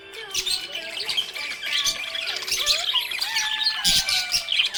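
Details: Happy budgerigar chattering: busy, rasping warble with squeaky chirps and short squawks, fairly loud throughout, while a smooth sliding melodic tone runs underneath, possibly music.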